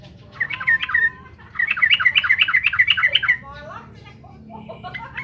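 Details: Yellow-vented bulbul (trucukan) singing vigorously to provoke rival birds: short bubbly whistled notes, then a rapid run of about a dozen chirpy, liquid notes, followed by softer scattered twitters.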